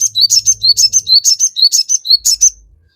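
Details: Crested jay in full, energetic song, played as a lure to provoke other birds to answer: a rapid series of sharp, high chirps, about two per second, alternating with short clear whistled notes, then a brief fading pause.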